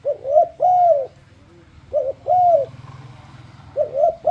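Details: Spotted dove singing to entice other doves to join in, with two full low coo phrases, each a clipped double note and a long smooth arched coo, then the start of a third; a low hum underneath.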